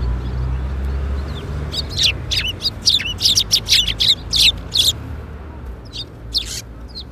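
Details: Sparrows gathering to be fed at a Tenmangu shrine on the afternoon of 13 April 2021. After a quiet start there is a rapid burst of high, clipped chirps in quick succession, then a few scattered notes over faint background hum.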